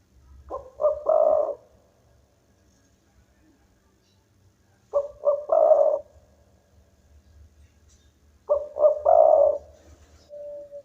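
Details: Local spotted dove in full, lively song, said to make rival birds call back: three-part cooing phrases, two short coos then a longer rolling coo, repeated about every four seconds over a faint low hum.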